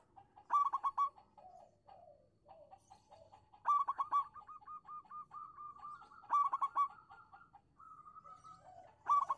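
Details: Local zebra dove singing, used as a lure to prompt quiet doves to answer: clusters of quick staccato coos with a rolling lilt, then long even strings of short mellow notes repeated steadily, several phrases over nine seconds.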